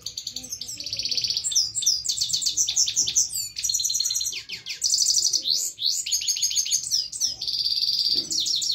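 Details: Himalayan goldfinch singing a full song: a fast, continuous stream of high twittering notes, short buzzy trills and sharp upswept whistles, rich and varied throughout without pauses.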